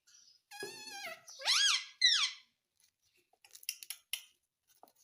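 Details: Indian ringneck parakeet kept as a pet, giving a few loud harmonic chirps and squeaky rising notes in the first two seconds, followed by scattered faint clicks and ticks in a quiet indoor setting.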